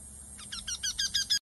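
A Eurasian wryneck gives a quick run of about seven nasal, slightly down-slurred 'quee' notes that grow louder, over a faint low background hum.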